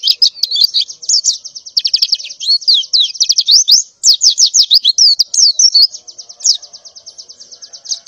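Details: White-eye female in breeding condition calling in the morning, mixing rapid high chirps and twitters before a long, evenly pulsed high trill.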